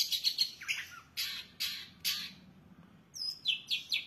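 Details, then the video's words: Long-tailed shrike singing a rich imitative medley: four harsh, rasping bursts about half a second apart, a short silence, then quick high thin notes. "cendet gacor isiannya mewah banget"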